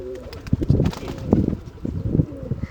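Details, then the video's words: Pigeon cooing in low, throaty bursts that come in uneven pulses, with a rumbling background and faint rustling between calls. "kabotar ki awaz | sound of pigeon | kabootar | pigeon sound"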